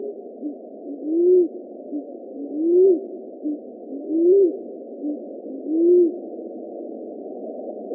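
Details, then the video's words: Picazuro Pigeon cooing: a soft short note, then a deep, drawn-out arched coo, repeated about every one and a half seconds. "CANTO DA POMBA-TROCAL, pomba-carijó, pomba-divina e pomba-pedrês"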